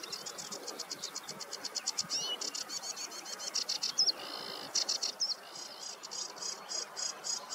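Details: On a meadow on a warm July morning, a sedge warbler delivers a rapid run of rattling high notes, broken by a few sharper whistled flourishes, with steady background noise throughout.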